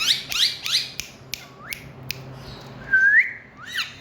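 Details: Parrot in India giving a run of sharp rising whistles and chirps, then a long upslurred whistle and a falling squawk, over steady low background hum.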